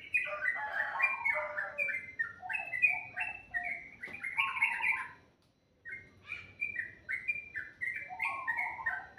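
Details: Bird singing sweetly in the morning: rapid, dense chirping and warbling phrases of mixed pitch, broken by a brief silence partway through before the chatter resumes.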